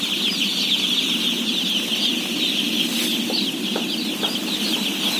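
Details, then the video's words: Day-old chicks, roughly 17,000 of them at feeding, chirp in a dense high chorus of short bright peeps, accompanied by a low hum and a few soft clicks near the end. "BABY CHICKEN SOUNDS"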